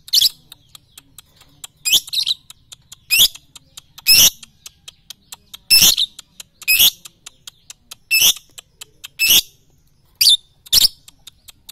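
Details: Lovebird song used as a training recording for morning, noon and night: shrill, twisting chirp bursts high in pitch, each under half a second, coming roughly every one to one and a half seconds over a steady faint ticking.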